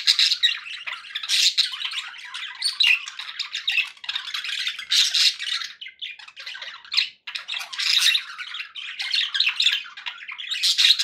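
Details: Several pet budgerigars, said to be happy, in continuous loud scratchy warbling and squawky chatter indoors, barely pausing over eleven seconds, with one short break near seven seconds.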